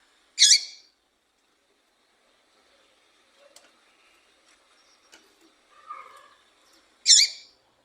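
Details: Female Double-collared Seedeater (Sporophila caerulescens) call, used to stimulate males: two short, sharp, high chip notes about six seconds apart, with faint soft bird twitters in between.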